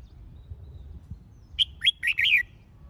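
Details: A red-whiskered bulbul, in a recording used to stir up and train bulbuls for fighting song, gives a quick phrase of four bright, warbled notes, fluty and slightly rising, over about a second, then falls silent.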